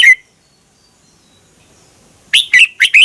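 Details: Red-whiskered bulbul song from Thailand played for caged birds: a brief clear note, a long pause, then four fast whistled notes slurring up and down.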